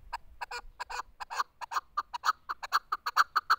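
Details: Chukar partridge uttering quick paired and single clucking notes that grow louder and more regular, becoming a steady chuk-chuk rhythm.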